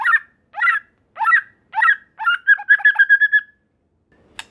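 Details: White-rumped shama song meant to draw a response from other shamas: several rich whistled phrases spaced about half a second apart, ending in a quick run of clipped whistled notes.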